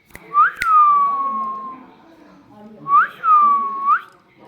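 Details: Pet parrot imitating voices gives two long whistles, each rising sharply, then gliding down and holding level, the second ending in an upturn, about three seconds apart.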